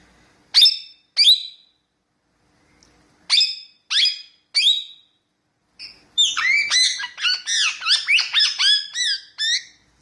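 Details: Pet parrot presented as a talking bird: a few separate sharp, harmonic chirps, then a rapid run of high, bending whistled notes in the last four seconds, with quiet pauses between bursts.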